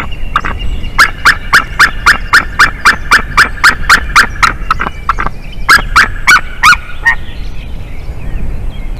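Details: White-tailed eagle pair at their nest in Durbe, Latvia. Both birds fly out and call together at about 6:09 am on 12 April 2021, during a failed incubation. A rapid run of about twenty loud, harsh yelping notes, evenly spaced, then a brief pause and a few final yelps, over steady wind noise.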